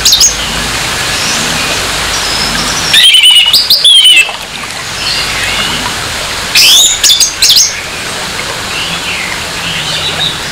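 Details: Harsh orange-headed thrush song meant to stir up a rival's aggression: two loud, separate bursts of fast, grating, twisting notes, each about a second long, over a constant hiss with soft distant chirps between them.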